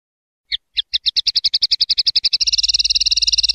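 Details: Common linnet song: a rapid trill of bright repeated notes that starts with a few spaced notes, speeds up steadily, and ends in a fast dense rattle, with no other sounds.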